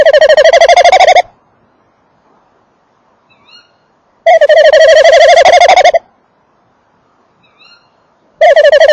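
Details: Tawny owl male calling at and inside a nest box, female also audible: three loud, tremulous trills, each over a second long, separated by quiet gaps that hold faint high squealing notes.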